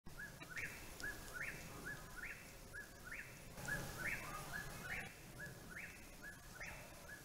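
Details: An Eastern Whip-poor-will calling insistently from a tree above the recordist repeats its whistled, three-part 'whip-poor-WILL' about once a second, each phrase ending with a rising snap, over a low rumble.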